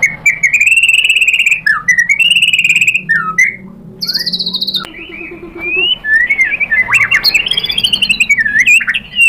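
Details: Fighter-style murai batu (white-rumped shama) song for provoking a rival to respond: long flowing warbled phrases of rich whistles, with brief pauses and higher sharp notes in between.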